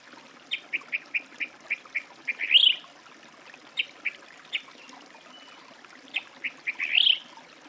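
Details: Song thrush song: a run of short clicking notes repeated rapidly, ending in a louder rising whistled flourish, the whole phrase given twice.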